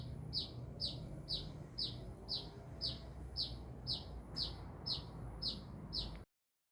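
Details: Kolibri (sunbird), described as singing energetically ('gacor'), from Binjai: a steady series of about thirteen sharp, high chirps, each dropping quickly in pitch and repeated roughly every half second, over a low background rumble.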